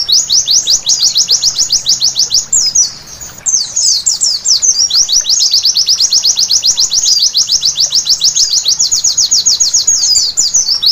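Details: White-eye singing at night, played as therapy to get birds singing: a long, fast run of thin, high, downslurred chirps, about three or four each second, broken once by a short jumbled twitter, over a quiet low hum.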